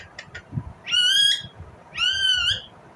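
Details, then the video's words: Indian ringneck parrot producing two strong, harmonic screeches about one second apart, each held and slightly wavering, after a few faint clicks. "Indian Ringneck parrot Natural sound, parrot chirping sound"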